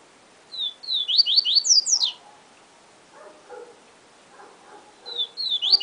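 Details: Yellow-bellied seedeater, 'siu siu professor' song: a series of whistled slurs climbing in pitch, a pause with soft low chirps from other birds, then the phrase starting again.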